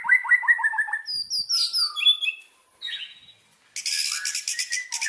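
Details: Indonesian white-rumped shama used as a singing lure: a run of quick repeated whistled notes, then varied high slurs, a pause, and a dense burst of buzzy, scratchy trilling.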